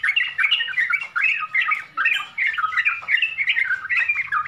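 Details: Sooty-headed bulbul, locally trucukan, singing lively chattering phrases of rolling up-and-down notes in short bursts about every second, fairly clean recording.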